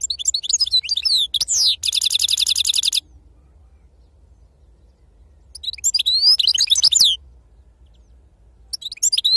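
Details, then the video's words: European goldfinch, described as wild-caught, singing the authentic serfati song style: bright twittering phrases and a rapid buzzy trill, then a pause of about three seconds before more twittering notes resume. "أفضل تغريد بندوق حسون خلوي أصيل"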